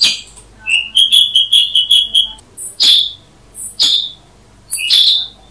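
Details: Black-headed Bulbul (Brachypodius atriceps) giving a quick run of soft whistled chirps, then three spaced, louder, sharp calls about a second apart.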